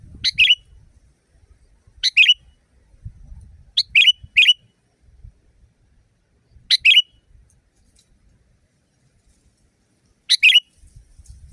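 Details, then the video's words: Sooty-headed bulbul, a loud, natural-sounding recording used to train caged birds. Five bright two-part phrases spaced one to three seconds apart: a short rising note, then a rich buzzy note. Faint low rumble underneath. "Masteran burung kutilang di tempat raja kutilang. Suara keras fulll alam"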